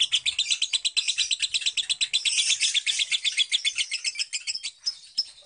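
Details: Long ngekek of a lovebird resting at home: rapid rattling high-pitched pulses in a sustained chattering trill lasting over five seconds, slightly fading and loosening toward the end.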